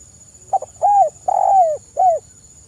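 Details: Spotted dove in vigorous, clear-voiced 'kuk 1' style song, used as a lure to draw other birds into singing: a quick stuttered double note, then three mellow descending coos, the middle one longest, over a steady high electronic whine.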